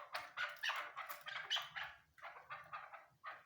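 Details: Female Chukar partridge calling: a quick run of harsh, clucking notes, each a broad burst, delivered in an uneven stutter with brief pauses between groups.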